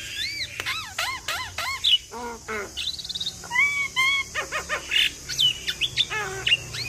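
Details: Javan myna in full vigorous song packed with imitated phrases, meant to prompt other mynas to answer: varied clear whistles, rising and falling slurs, and sharp chips follow in quick succession, with harsh bursts in between.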